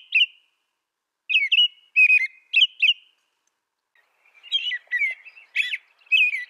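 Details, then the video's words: American robin song: brief caroling whistled phrases of rising and falling notes come in clusters, then a busier, slightly harsher run of phrases after a silent gap. "Suara burung american robin"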